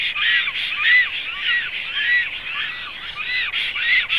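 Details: A black stork at a nest in Zemgale, Latvia, on 7 April 2016, possibly the returning female, gives hoarse, wheezy calls, each with a thin arched whistle, repeated steadily about twice a second.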